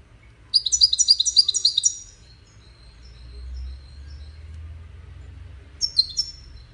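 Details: A 'widaniya' European goldfinch from a five-bird singing competition gives a rhythmic chattering run of high notes for over a second, falls quiet under a low rumble, then adds a short twittered phrase.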